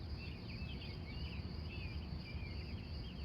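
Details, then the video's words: Wild birds singing in the early morning at Glendive, Montana, USA, recorded live on location from 3:45 a.m.: quick warbled phrases repeated back to back over a steady high whine and a low constant rumble. "Relax In Nature With The Wild Morning Birds Of Montana"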